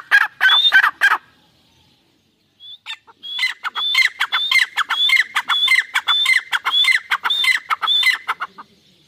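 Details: Irani teetar pair, a francolin, giving loud, harsh calls, then a short silence, then a long rhythmic series of raspy notes with high whistled upslurs.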